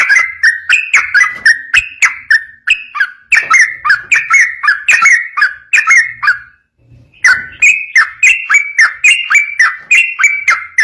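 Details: Extended ropel song of a yellow-vented bulbul for making other bulbuls respond: continuous quick bubbly whistled notes, a one-second break, then the fast phrases resume at a slightly higher pitch.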